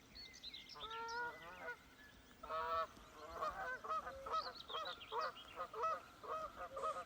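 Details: Canada geese flying over a hillside in spring honk in a ragged series of nasal, two-toned honks, several birds calling over one another at irregular intervals, with a faint background hiss.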